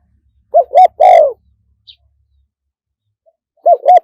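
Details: Spotted dove crowing live in the wild-phrasing style, one 'kook' per crow: a short hoarse coo, a second coo, then a long note sliding downward, clean and close; a second phrase begins near the end.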